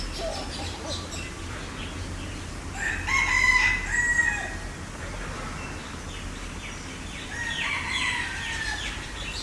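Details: Green peafowl recorded on a Sony A7IV camera: a loud, drawn-out harmonic call near three to four seconds, with a second, weaker call around eight seconds, over a steady low background hum.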